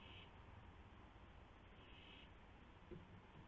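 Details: Nighttime owl at the nest, 1:00 AM on 24 March 2016, with a gopher brought as prey; two brief, rough hissing screeches, one at the start and one near the middle, over a humming background.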